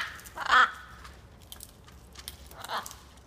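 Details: A wild macaw being fed gives two harsh, raspy squawks about two seconds apart, the first louder, over a quiet background with faint rustling.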